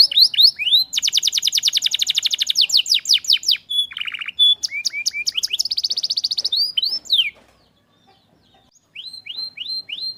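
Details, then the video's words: Canary song, played as a remedy for canaries that will not sing: long even rolled trills, a low brief buzz, more chopped trills, a short pause, then a series of rising upslurred notes. "obat ampuh kenari macet dan malas bunyi"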